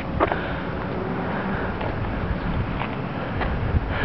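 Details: Heavy wind and engine rumble with faint knocks, no animal sound.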